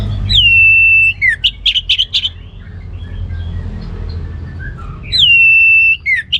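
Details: Orange-headed thrush singing ngeplong gacor: a long, clear, level whistle followed by a quick cluster of sharp, choppy notes. After a quiet pause with soft murmuring, the same long whistle and choppy notes return.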